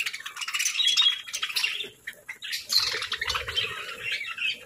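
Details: Parakeets chirping at a morning feeding of fresh fruit and seeds, giving busy high-pitched twittering in two bursts separated by a short lull, with faint low rustling.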